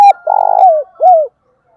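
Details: Decoy spotted dove calling loudly: a short clipped note, then a buzzy, vibrating middle note sliding down and a clear falling coo, loud and close in a quiet setting.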